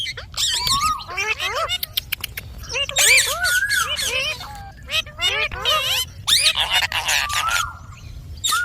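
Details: Talking ringneck parrot producing quick, choppy speech-like phrases of curved, bright syllables, some drawn into short sliding whistles, with brief silences between groups of words.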